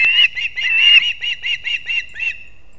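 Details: Male osprey at a nest in Kurzeme, Latvia, watched on a live nest camera at 6:40 am on 3 September 2024 as he brings two fish at once to the chicks; a run of about nine short, whistled, chirping calls, the first one longer.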